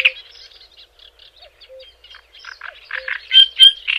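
A Java sparrow gives a rapid string of dry clicks and soft chipping notes that build into louder, bell-like tones with a few high whistled notes at the end.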